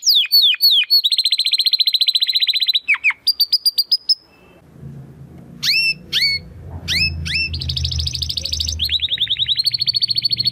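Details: Timbrado Español canary male, a 2020-bred bird from rated parents, singing a training song: loud runs of rapid repeated downslurred notes, trills and metallic rattles, broken by a quiet pause with low background rumble.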